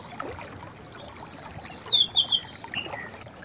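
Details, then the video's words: Single song phrase of a white-browed fantail, a bright run of high whistled notes stepping up and down, about six notes in quick succession, with faint hiss behind. "White Browed Fantail Singing Songs / white-browed fantail vocals / chirping"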